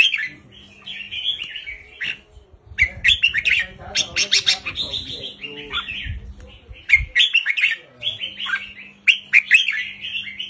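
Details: Red-whiskered bulbul, a wild bird, repeating short, lively song phrases of quick chirping, warbled notes with fast sharp clicks between them, with a low steady hum and some low thumping noises underneath.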